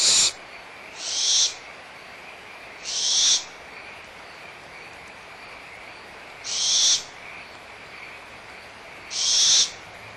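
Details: Young barn owls, Audubon Starr Ranch Sanctuary, April 2011, in a small dispute over leftover food: four or five rasping hiss-screeches spaced irregularly, two to three seconds apart, over a continuous frog chorus.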